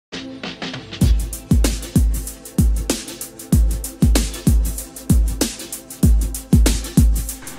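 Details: Electronic music with a heavy bass drum thumping roughly every half second, a sustained low synth tone underneath and sharp high percussive hits; no animal voice heard.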